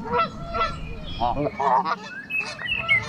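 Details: Loud calls from a group of geese encountered on a trail; harsh, harmonic honks come in quick uneven bursts, some rising in pitch, several birds overlapping.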